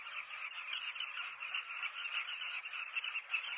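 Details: Southern carmine bee-eaters (Merops nubicoides) at a breeding colony in South Luangwa National Park, Zambia, recorded from a hide at Kaingo Camp, give a steady, dense chorus of overlapping rolling, throaty calls from many birds at once, with no break.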